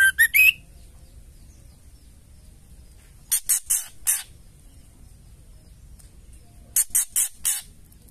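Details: Female white-rumped shama ketrekan, a call meant to provoke other males into singing: groups of three or four harsh, buzzy rattling bursts with a brief whistled twist at the start, spaced by silent gaps.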